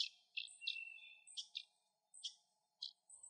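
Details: Puerto Rican Tody near its nest, likely an adult calling with food in its bill to coax chicks out, giving short, high, buzzy notes about every half second, some with thin whistled tails, over a faint steady low hum.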